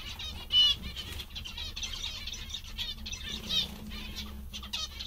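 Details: Zebra finches said to be cheerful and content call in quick nasal beeps and buzzy trills. A loud burst comes near the start and another midway, with a faint low hum underneath.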